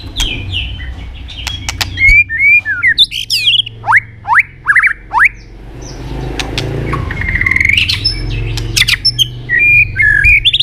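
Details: White-rumped shama singing a fighting song, a recording used to train and provoke other birds to sing: varied whistled phrases, slurred and sweeping notes, with sharp clicks between them and low background hum.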